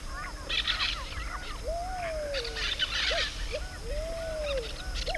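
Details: Pale-vented pigeon in Costa Rica, 2021, giving low, drawn-out cooing notes that rise and fall, with short hoots between, while other birds chirp and chatter higher up.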